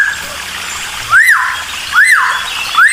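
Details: Cucak timor singing to provoke other birds: loud arched whistles that rise and then fall, spaced roughly a second apart, over a steady rush of trickling water.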